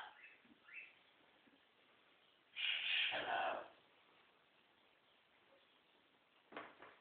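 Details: Pet scarlet macaw playing during one-on-one time with its owner, giving a single harsh, raspy squawk lasting about a second midway through, with faint scratchy rustling before it and a short rough burst near the end.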